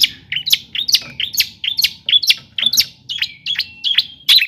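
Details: Long-tailed shrike song played to stir other shrikes into singing, delivered as a steady series of sharp, high chipping notes, about two per second, with short whistled tails between them.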